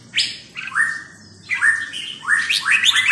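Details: Red-whiskered bulbul song of loud, liquid whistled notes with slurred downward phrases, delivered in several quick bursts.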